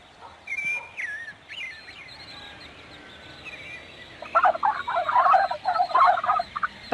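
A turkey's rapid, rattling gobble bursts out in the second half, a fast bubbling run of throaty notes, after a few faint chirps and whistles at the start.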